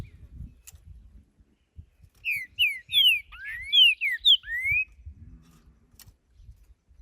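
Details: Creamy-bellied thrush singing outdoors: a rich phrase of about eight clear whistled notes, mostly falling slurs with one rising sweep, delivered quickly over about two and a half seconds, then quiet with light background noise.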